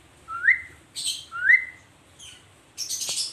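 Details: Asian pied starling kept as a pet, calling eagerly as if asking for coffee: two sweeping upslurred whistles alternating with harsh, noisy rasping bursts.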